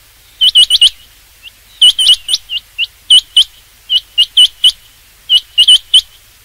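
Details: Rain quail calling for use in hunting: sharp, clipped whistled notes delivered in quick pairs and triplets, bursts separated by short pauses, loud and clear over a quiet background.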